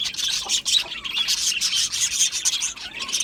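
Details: A colony of pet budgies in an aviary keeps up a dense, grating warble of rapid chirps and scratchy trills, loud throughout with a few brief dips.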